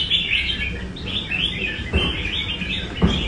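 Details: Red-whiskered bulbul from Nam Đông, a kept bird practicing at a cafe in Đà Nẵng, Vietnam: short bright warbled whistle phrases repeated in bursts, with low rumbling background noise and a couple of knocks.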